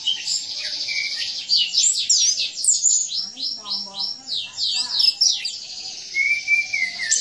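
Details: Orange-headed thrush in full cage-bird song for training other birds: a long run of fast, evenly spaced high sweeping notes, followed by a sustained buzzy passage and a low whistled slur.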